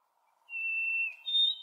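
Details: Male White-throated Sparrow late in the breeding season, after his odd song changed to the normal version: a long pure whistled note held steady, then a higher clear whistle after a brief gap, in quiet surroundings.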